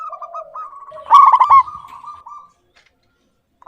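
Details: Local-type zebra dove singing frequently with a clear tone: soft broken coos lead into one loud stuttered burst, then a long, gently rolling coo that fades to silence.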